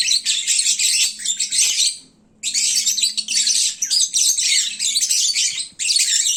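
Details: Midday chattering from full, sleepy lovebirds: near-constant shrill, raspy squeaks and twitters with one clear pause, plus a faint low hum underneath.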